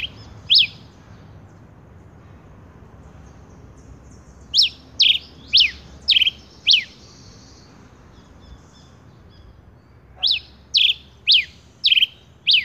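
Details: Male rufous-collared sparrow with two bursts of high, sharp slurred notes, five and then five more, spaced about half a second apart. A single note starts the run and quiet pauses separate the bursts. A faint low hum runs underneath.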